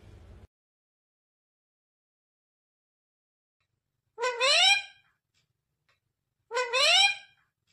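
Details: Parrot kept as a pet and said to say "mummy papa": after a long quiet spell, two bright, strongly harmonic rising-then-falling utterances about two seconds apart, speech-like in shape.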